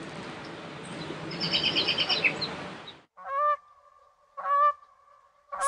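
A swan gives three loud, nasal, trumpeting honks, spaced a little over a second apart, after a few seconds of rushing, hissy noise.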